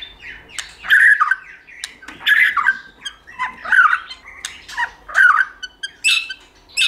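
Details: White-rumped shama, a recording used to stimulate and train shamas to sing in many voices while flicking their tails: repeated harsh, squawky bursts about once a second, separated by faint short whistles.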